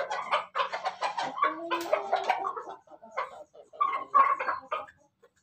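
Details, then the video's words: Laughing-style crowing from a Pelung chicken, heard as bursts of rapid, clipped cackling syllables with one short held tone in the middle, followed by a quieter pause and another short chattering run. "ayam pelung Bangkok ketawa"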